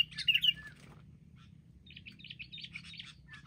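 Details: Wild Sooty-headed Bulbuls bravely ganging up, later caught with a lure, give bright, chirpy calls: a loud burst at the start, then a run of quicker, scratchy notes over a low background hum.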